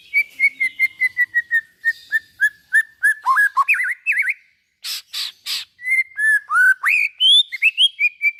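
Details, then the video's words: White-rumped shama song to encourage other shamas to sing: a fast train of short repeated whistled notes slowly falling, then buzzy harsh bursts and bright rising whistles. "suara burung murai batu buat merangsang bunyi murai batu"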